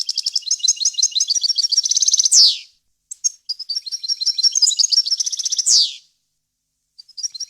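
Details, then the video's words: Clean goldfinch song intended for young birds to learn from: two long tinkling twittered phrases, each building to a loud harsh buzzy descending note, with brief chips between. "غناء طائر الحسون ، صوت صافي وخالي من الاخطاء لتسميع الفراخ"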